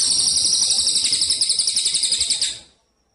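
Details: Contest-training recording of a Javan munia: a thin, high, rattling trill of steady pulses, roughly four per second, running for about two and a half seconds before cutting to silence.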